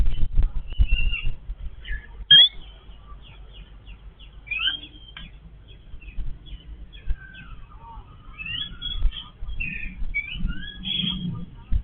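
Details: Yellow-billed babblers feeding as a family: thin squeaks and short chattering phrases, some sliding down, sounding intermittently through the recording over soft low rumbling and occasional knocks.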